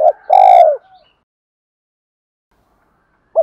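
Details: Spotted dove challenge and calling coos meant to provoke and lure other doves: a short low coo, then a loud, mellow, slightly falling coo, silence, and another coo beginning at the end.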